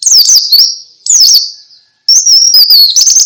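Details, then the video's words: White-eye song in the ngalas style, used to prompt other white-eyes to sing along: loud, high, rapid chattering twitters and slurred warbles in three bursts separated by short pauses, with no other sounds. "Suara Pleci Ngalas"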